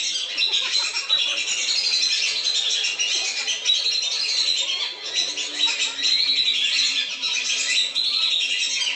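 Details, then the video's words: Lesser whistling duck lure sound meant to make the birds descend: continuous, crowded high whistling from a flock, briefly dipping in loudness near the middle. "SUARA PIKAT BURUNG BLIBIS. jamin turun"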